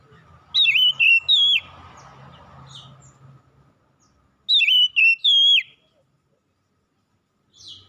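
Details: Oriental magpie-robin whistling in the morning, two phrases of three loud sliding notes about four seconds apart, with a low hum and then near silence between.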